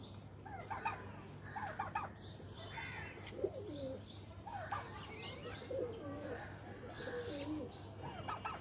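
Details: Pigeons playing in a loft give low, rolling coos, several short bubbling phrases spread through the recording, mixed with soft chirps, wing flutters and a steady low hum.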